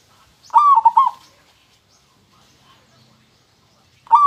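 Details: Local zebra dove singing one clear, mellow cooing phrase near the start, a quick run of stuttered notes that rolls up and then down. A second phrase begins right at the end. The background is quiet between phrases.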